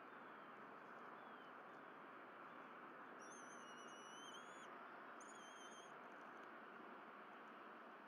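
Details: Bald eagle family of three at the Berry College nest, April 2023, feeding on delivered fish; two drawn-out thin whining calls mid-way, the first longer, set against heavy steady background noise.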